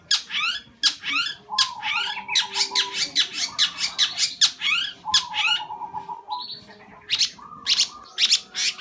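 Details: Long-tailed shrike singing at length: rapid harsh, scratchy notes are mixed with short warbled trills and repeated quavering phrases in a fast, continuous, chattering stream.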